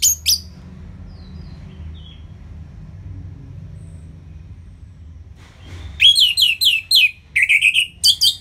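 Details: Orange-headed thrush in ngeplong style, a training recording for lazy singers: a brief note opens, near silence for several seconds, then two sustained runs of rapid, rolling, high whistles.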